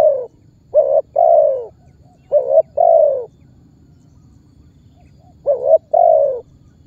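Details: Spotted dove calling and pressing as a lure to make other birds sing along; three phrases of short doubled notes followed by a longer mellow descending coo, with gaps between them.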